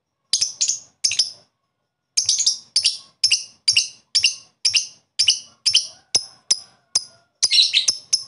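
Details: Rival-calling koek from a lovebird, with ngekek to excite other lovebirds: a steady series of shrill, slightly buzzy chirps, roughly three per second, ending in a rough jumbled burst.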